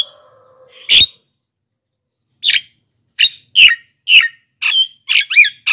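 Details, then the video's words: Javan myna lure recording meant to call wild mynas and prompt lazy birds to sing: harsh, squawky notes in quick bursts, several per second toward the end, with a brief low tone at the start. "masteran JALAK KEBO super gacor"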